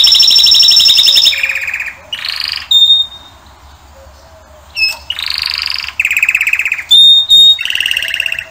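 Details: Canary song from a singing male: loud high rolls and buzzy trills in short bursts separated by brief pauses, with thin whistled notes between phrases.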